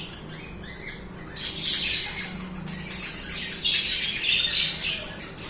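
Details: Budgies sing continuously, a soft start building into dense, buzzy, high-pitched warbling and squawky chatter that runs unbroken for the last four seconds over a low steady hum.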